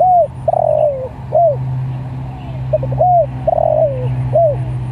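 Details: Spotted dove calling to other doves, two phrases back to back: an arched coo, a drawn-out wavering coo dropping in pitch and a short closing coo, each second phrase opened by soft stutters; steady low hum throughout.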